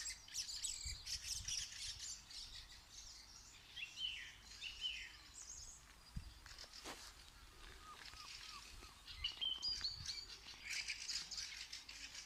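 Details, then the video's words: Bird song in a natural outdoor setting: bursts of high chirps and twittering phrases with pauses between them, plus a few sharp clicks near the middle and steady low background noise. "Amazing sounds of the bird"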